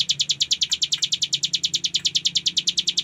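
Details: A ciblek gunung prinia delivers its ngebren song for bird-training: a fast, unbroken series of piercing high chips, evenly spaced at about eight per second, with a quiet low drone behind.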